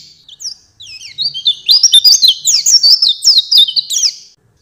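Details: Oriental white-eye master song for teaching other songbirds, soft scattered high notes building into a quick, bright run of chattering, slurred twitters that fades out at the end.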